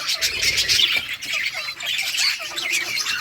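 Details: Colony of colourful budgerigars playing, dense overlapping chattering chirps and harsh squawky notes filling the high range without pause, a busy aviary chorus.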